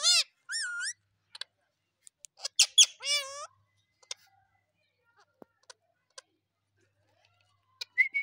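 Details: Indian ringneck parakeet, a pet that talks and dances, opens with loud nasal squawks and bent harmonic calls for three seconds, then near silence broken by scattered clicks and one rising whistle.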